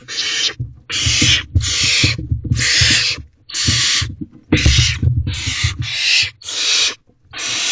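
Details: Barn owls in nest box at 3:27 am on 12 May 2023 as the male brings food and five owlets rush to be first in line; harsh, broadband hissing screeches repeat about once a second, with low thumps and scuffling in the box.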